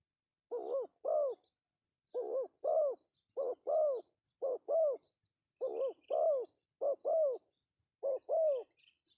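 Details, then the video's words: Pesom-style call of a male spotted dove, used to lure birds: steady paired coos, each pair a short note then a longer, rounder one, repeated about once a second for eight pairs. Faint thin chirps sit in the background. "suara panggilan Tekukur pesom"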